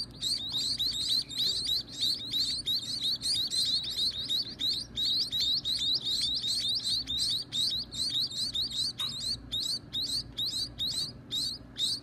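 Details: Nestling birds at feeding time give a constant stream of thin, high rising chirps, many overlapping and rapid, over about twelve seconds against a soft background hum.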